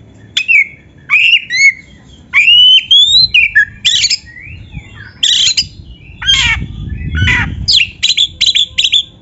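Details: Oriental magpie-robin training song for caged birds. Clear upslurred whistles, raspy squawks and clusters of sharp chips follow each other in a lively, varied stream, with a soft low rumble in the background.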